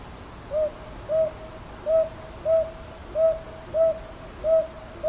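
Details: Northern boobook, Ichijoji in Kyoto's Sakyo Ward, 22 May 2023, captured with a TASCAM DR-100MKIII: eight soft hoots in a brisk, slightly uneven rhythm, about one every two-thirds of a second, background otherwise still.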